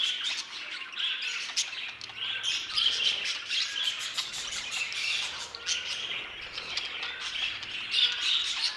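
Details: Many budgerigars in an aviary chattering together: rapid, irregular bursts of high chirps and squawks, with short tonal notes scattered through a continuous warbling background.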